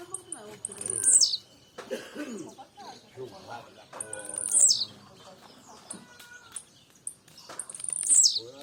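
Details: Blue-black grassquit singing a lot: three short high buzzy phrases, each a sharp downward-sweeping note, repeated roughly every three to four seconds, with people talking in Portuguese in between.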